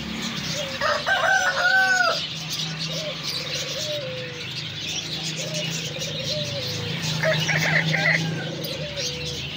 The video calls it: polish rooster crowing